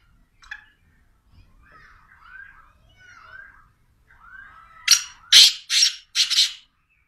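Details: Soft, thin whistled chirps of other small birds come first, then a black francolin bursts in close by with four rough, grating notes in rapid series, loud and harsh.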